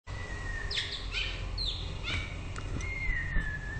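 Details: White-rumped shama singing: sparse clear whistled notes, a long level whistle and short rising and falling slurs, over steady low background rumble.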